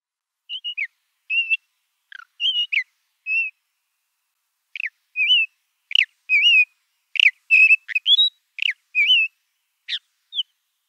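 Ant-eating chat giving short, clear whistled notes, some slurred down and some rising, in loose irregular bursts against a quiet background.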